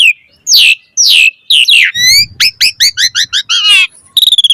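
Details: Asian pied starling song meant to spur other birds into singing: loud descending whistles followed by a rapid series of repeated chirping notes, then a quick trill at the end.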